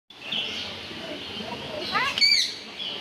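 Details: A green Eclectus parrot says "hello": a brief, voice-like word, a quick rising slur then a short harmonic tone, over a steady background hiss.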